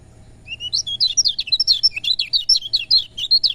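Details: Lemon-bellied white-eye song played to stimulate reluctant birds to sing: a rapid, jumbled run of high twittering notes, sliding up and down, about three seconds long and fairly steady in loudness.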